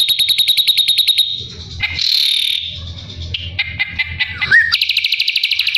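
Ashy drongo song: fast runs of high, ringing notes, about three per second, broken by varied harsh and slurred phrases, over a faint low thumping.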